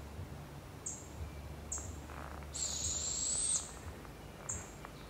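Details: Barred owl with her babies in the wild in Canada; one drawn-out harsh hiss lasting about a second, framed by several brief sharp high chips spaced under a second apart, with faint low rumble behind.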